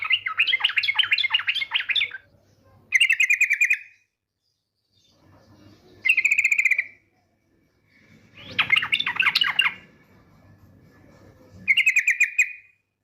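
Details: Female yellow-vented bulbul giving the 'ngetir' call, used as a lure to make bulbuls sing: fast buzzy rattling bursts alternate with chattering warbled phrases, separated by short pauses, with a faint low hum.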